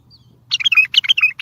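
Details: Bulbul song meant to get other bulbuls answering, used for trapping: one burst of rapid chattering, warbling notes that rise and fall, starting about half a second in and running to the end, over faint low hum.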